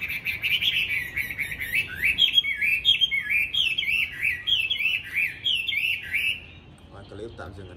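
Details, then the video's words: Chinese hwamei, a tame caged fighting bird in Hanoi, Vietnam: six seconds of loud, rapid zigzagging whistles in repeated phrases, then quiet with a faint low noise. "Mi đẹp thuần đấu tốt"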